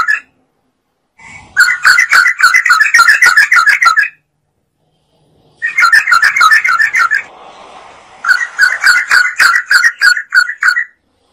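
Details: Yellow-vented bulbul singing energetically, used as a lure to provoke other birds into song: three bursts of rapid, bubbling, chattering notes separated by pauses, with a faint lower hum between the second and third bursts.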